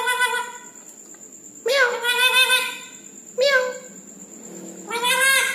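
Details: Three drawn-out, buzzy squawks with many stacked overtones come from a red-breasted parakeet at night, spaced about one and a half seconds apart, with a steady thin high-pitched tone in the background.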